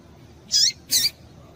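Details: Two quick, high chirps from a female Double-collared Seedeater, calling to stimulate a male to sing, each note buzzy and falling slightly in pitch.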